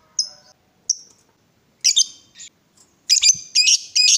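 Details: Lovebird calling in an excited state, with two sharp high chirps, then broken harsh squawks and rasping notes in short bursts.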